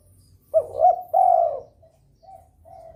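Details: Spotted dove in breeding mood, calling to stir rival birds: one loud phrase of a fast rising double note and a drawn-out falling coo, followed by faint soft coos.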